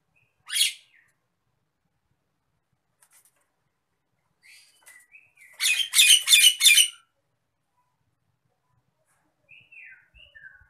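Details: Agitated Nias hill myna used as a training sound for other birds: a lone harsh rasp, then a cluster of four loud, buzzy bursts in quick succession, with a few thin whistles between and after them.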